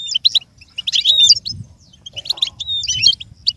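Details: Goldfinch song for a learning bird to imitate: quick high twitters and bright whistled notes in two dense bursts, separated by a brief pause, with a faint low hum underneath.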